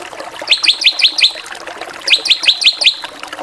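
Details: Drongo 'gacoran' variation: two tight series of five sharp, high chipping notes, each series lasting under a second with a pause between.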